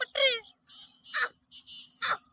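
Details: Black francolin (Francolinus francolinus) giving a quick run of harsh, grating, hissy notes, about four in two seconds, after a brief descending voice-like sound at the start.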